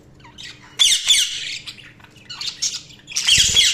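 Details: Budgies chirping: harsh, high squawks and chatter in short bursts, with a steady low hum underneath.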